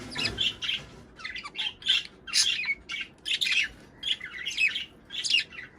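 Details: Budgerigars warbling for breeding stimulation, a steady run of buzzy, scratchy chirps grouped in short bursts about every half second.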